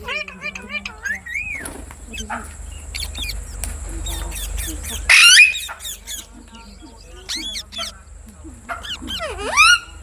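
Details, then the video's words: Parrot voice: wavering whistled notes and a curved rising whistle, scattered clicks and word-like chatter, a loud harsh screech midway, then more mimicked syllables and a swooping whistle at the end. "Amazing parrot talking videos | Parrot sound | Parrot voice | Tote ki Awaaz"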